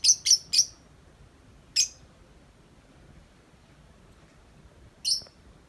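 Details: Tame lovebird out of its cage: three quick, sharp high chirps in a row, then a lone chirp and a long quiet gap before one last chirp.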